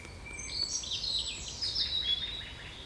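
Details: Nightingale singing in the evening on 9 June 2020: a rapid, high, twittering phrase of trilled and sweeping notes that runs for about two seconds, faint over quiet background hiss.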